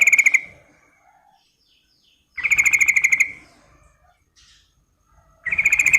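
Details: Female Sooty-headed bulbul calling to a male: short buzzy, rapidly pulsed bursts about half a second long, repeated roughly every two and a half seconds with quiet gaps and faint soft notes between.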